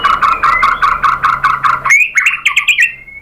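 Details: White-rumped shama lure song to set other birds answering: a fast string of about eight harsh, evenly spaced notes, then a quick flourish of bright rising whistles ending in a thin drawn-out tone.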